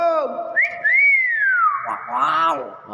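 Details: Talking hill myna mimicking speech: a clear arching whistle rising then sliding down, followed by a burst of harmonic voice-like syllables, in a small room with people reacting.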